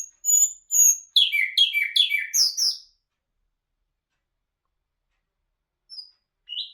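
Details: Nightingale song, known locally as bulbul hazar dastan: sharp high chips, a burst of quick descending slurred notes and rising whistles over three seconds, then silence with two brief faint notes near the end.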